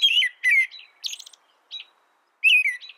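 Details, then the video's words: Brief American robin song: two falling whistled phrases, softer high squeaky notes, a pause, then a final descending whistle. "American Robin Bird Sound, Bird Song, Bird Call"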